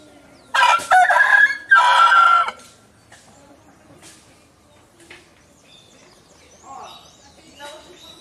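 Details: A rooster gives a harsh two-part crow near the start, a short burst then a longer held note. Quieter sounds and faint voices follow in the background.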